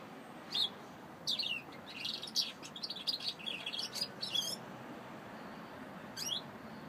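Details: A saffron finch sings a dense run of high, rapid chirps and trills lasting about three seconds, followed by a pause and one last isolated high note, with low ambient hum beneath.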